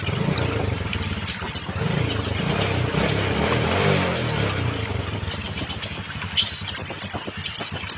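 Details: Scarlet minivet song to make molting or silent birds sing: repeated rapid volleys of piercing high chirps and short rising whistles, separated by brief gaps, with a low droning background.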